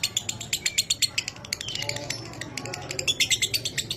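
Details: Lovebird singing a 'minor kering' training song for pet birds: quick, evenly spaced dry clicks in a chattering run, a short squeaky phrase, then more fast ticking.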